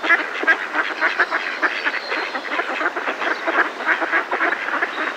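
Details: A flock of Mallards in a decoy gives close, loud, overlapping quacks and nasal alarm calls in a dense, continuous chorus, with a Coot and a distant robin also present.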